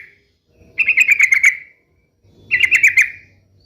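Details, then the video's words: Two short, harsh, buzzy rattling phrases from a sooty-headed bulbul, about two seconds apart, played to make pet bulbuls sing back. "SUARA KESUKAAN TRUCUK ❗ trucukan gacor SATU INI ahlinya JADIKAN burung trucuk gacor NYAUT SEKETIKA"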